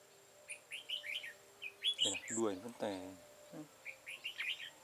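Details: Red-whiskered bulbul serving as a decoy in a trap, 13 October 2018, repeating short chirpy warbled phrases, with a man's voice speaking briefly in the middle and a faint steady high tone.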